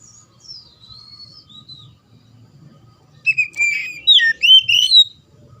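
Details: Oriental magpie-robin in loud 'gacor ngeplong' singing, used to stir young or silent birds into song: faint high whistles at first, then after a quiet stretch a burst of bright, rapid, rising and falling whistled notes over a low hum.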